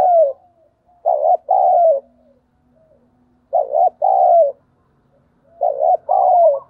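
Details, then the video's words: Decoy spotted dove cooing to call: three evenly spaced phrases of a short quavering note and a longer falling coo, over a faint low hum. "Chim Cu Mồi gáy gọi và Thúc Bổi hay"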